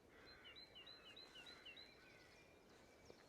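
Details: Early spring morning in the St Lawrence Undercliff, Isle of Wight: a great tit off to the left sings a bright two-note see-saw phrase, high then a little lower, repeated quickly about six times over a soft outdoor hiss.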